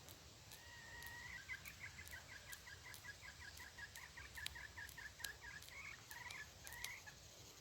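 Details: Red junglefowl decoy luring wild birds on 23 February 2022 gives a long, rapid series of short, clucking notes, repeated steadily for about six seconds, with sharp clicks and rustles standing out against the background hiss.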